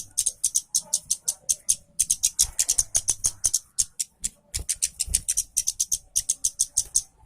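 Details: Orange-headed thrush, a lively singer used as a lure to coax reluctant thrushes into song: dense run of short, sharp high clicks and chips repeated several times a second, with faint low background hum.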